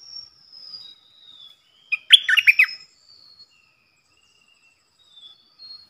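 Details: Stripe-throated bulbul decoy bird, its song played to teach young birds and lure wild ones; a single quick burst of rich, bubbling chirped notes mid-clip, flanked by thin, high, drawn-out whistles before and after.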